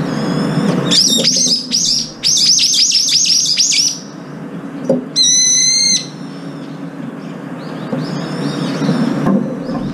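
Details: Brown-eared bulbuls feeding together, up to five at once, some pecking rivals away and squabbling over food: a rapid run of shrill, downward-slurred squeals, then one long harsh ringing screech, later fainter squeals over a low hum.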